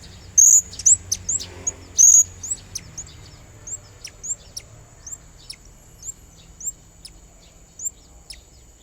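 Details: Blue-crowned hanging parrot, singing energetically as a lure to call a rival, in the morning: sharp, very high, thin upslurred chirps, some doubled, at first clustered then spaced one to two seconds apart, over a steady high-pitched whine.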